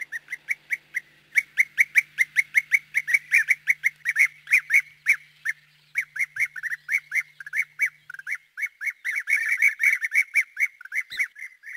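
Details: European Bee-eaters, recorded in Corrèze, France, as rare or passage birds, give a rapid, continuous stream of liquid, rolling 'prruip' calls, several birds overlapping, over a faint low hum.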